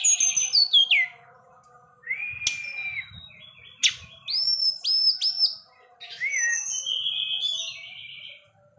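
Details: Kept Forktail in vigorous song, seeking a rival: descending high trill, long level whistle, sharp clicks, then bright high whistled notes and a final hooked slur into sustained buzzy phrases; faint low hum beneath.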